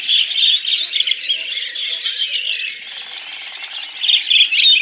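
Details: Flock of Redwings, Turdus iliacus, singing together in spring, April 2019, Lipovaya Gora in Russia's Oka Nature Reserve; shrill overlapping warbles and chirps form a steady, bubbling chorus throughout.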